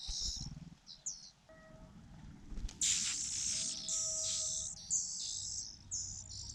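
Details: Fujian niltava chicks begging as their mother brings food: high, hissing, squeaky chirps that swell into a loud cluster midway, with some low rumbling background noise.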